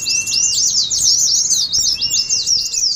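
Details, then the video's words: Oriental white-eyes in the ngeriwik singing style, used as a lure and contest simulation: dense, rapid high chattering trills run together without pause, with a thin steady whistle held underneath. "TERAPI PLECI NGERIWIK , PANCINGAN PLECI NGALAS"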